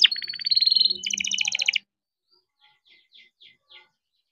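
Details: Young captive-bred canary singing in rolling style, used to prompt quiet canaries to sing: a rapid buzzy trill of high notes for under two seconds, then faint soft chips after a pause.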